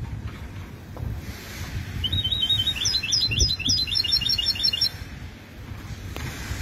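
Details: Goldfinch hybrid, a mule cross, delivering a quick run of bright twittering and trilled notes for roughly three seconds mid-recording, over steady low-pitched background rumble.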